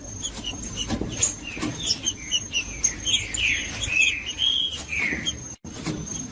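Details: Green-winged saltator singing for warming up a cold bird: after a stretch of clicks, a run of rich whistled phrases rising and falling, then a brief cut-out. A constant faint high-pitched tone runs throughout.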